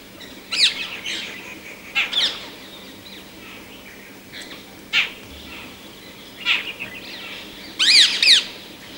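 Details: Rose-ringed Parakeet giving loud, harsh screeches in short bursts every one to two seconds, some doubled, the final pair the strongest, against quiet outdoor background.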